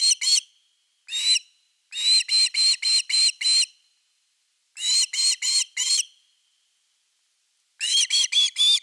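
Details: Osprey at nest #3, evening of 30 August 2021, with a fish delivery: shrill chirps come in broken bursts of two, one, six, four and four notes separated by short silences.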